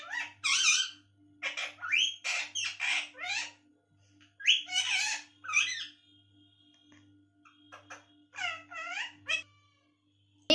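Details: Female pet parrot indoors, calling out as it is coaxed to fetch mummy: clusters of rapid harsh, buzzy speech-like syllables, a quieter middle stretch, then a few clearer arched harmonic notes near the end, over a pulsing hum.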